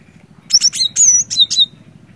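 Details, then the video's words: Cinereous tit, used to stir a silent bird into song, delivers a bright run of about six high whistled notes, one drawn out and wavering, with a low pulsing hum throughout. "Burung Glatik Batu Gacor"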